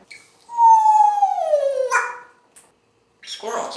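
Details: Pet African grey parrot indoors, announcing squirrels outside, voices a drawn-out, harmonic-rich tone that slides steadily downward, followed by a brief breathy burst and then a rougher, noisy utterance after a short pause.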